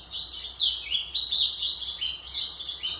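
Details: White-throated seedeater song meant for training young birds: rapid, high, sweet chirps and downslurred whistles in a continuous stream lasting the full three seconds.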